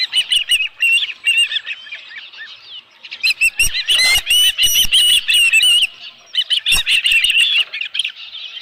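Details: Osprey at the nest with a live fish on 11 July 2018 near 12:41 PM; phrases of high arched chirps separated by short pauses, with loud bursts of sharp clicking and rustling.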